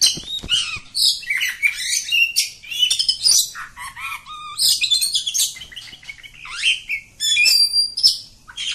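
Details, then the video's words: Oriental magpie-robin, village form, singing a long unbroken ngacor song: dense stream of varied whistles, buzzy chatters and quick sweeping notes at high pitch for nearly nine seconds. "Kacer Kampung. Super Ngacor panjang"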